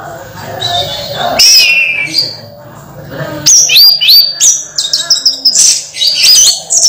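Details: Orange-headed thrush singing actively despite moulting: after a quieter start, a quick, varied string of high whistles, upslurs and sharp notes, about three per second, with faint background murmur.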